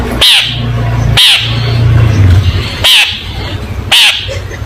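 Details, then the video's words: Four rasping, grating notes from a long-tailed shrike, recorded to teach young shrikes, about one per second with a low droning hum between them. "Burung Cendet Gacor full masteran cocok untuk masteran cendet muda Belajar Bunyi"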